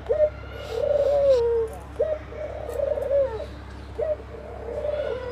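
A dove coos in low, soft phrases: a quick upward note, then a long wavering hoo, about every two seconds over a faint steady hum.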